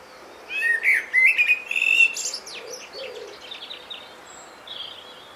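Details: A common blackbird sings in Great Torrington, Devon: a rich, fluty warbled phrase, then a thin, squeaky twitter that trails off into softer high notes.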